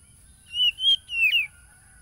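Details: Oriental magpie-robin song used as a lure to rouse caged birds, recorded by phone in Tulus Rejo village, East Lampung, Lampung, Indonesia, on 30 July 2022: three clear whistled notes, slurred and gently wavering, over a quiet background.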